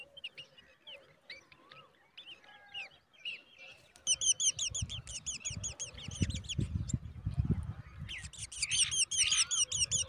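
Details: Baby black drongos in close view: scattered soft chirps, then a sudden burst of high, rasping, repeated squeaky notes, nearly three each second, rising and falling together, with rustling and handling noise underneath.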